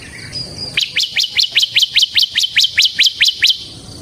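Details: Bar-winged prinia singing for ciblek training and luring: after a faint lead-in, about twelve evenly spaced high upslurred chirps follow at a fast steady pace.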